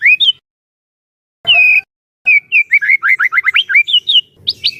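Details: White-rumped shama singing to draw song from other shamas: a couple of isolated whistled phrases with silences, then a fast sequence of twisting slurred whistles and quick chattering notes.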